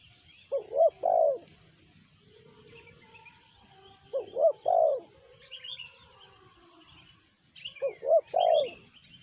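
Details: A spotted dove calls in the sanji manner: three repeated phrases of paired short coos ending in a long mellow falling note, every three to four seconds, with distant chirping birds.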